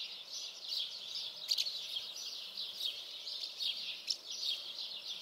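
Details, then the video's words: Common house martins chatter in a steady stream of soft, high twittering notes, several birds overlapping with brief louder chirps. "Common house martin. Mehlschwalben"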